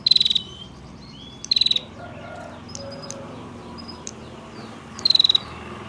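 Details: Female bar-winged prinia trilling to lure males. Three brief, rapid, buzzy high trills sound at the start, near the middle and at the end. Faint scattered chirps and a quiet background fill the gaps.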